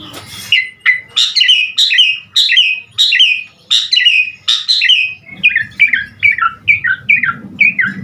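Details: Asian pied starling singing a full, varied song to encourage other starlings to sing: repeated squawky, whistled phrases about twice a second, some harsh and buzzy, with a faint low rumble in the background.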